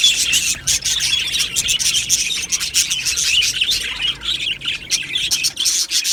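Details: Colony of budgerigars in an aviary, a dense continuous chorus of high chattering warbles, chirps and short squawks overlapping without pause, busy and bright throughout.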